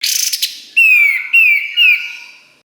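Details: Pied triller phrase on a master recording for training songbirds: a brief buzzy trill, then three clear downslurred whistles in quick succession.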